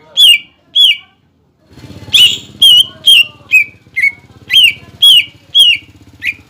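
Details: ['Greater green leafbird (cucak ijo) singing a provocation song aimed at juvenile and wild-caught birds. Loud whistled notes repeat about twice a second, each with a bright clicky start, over a continuous low mechanical hum.']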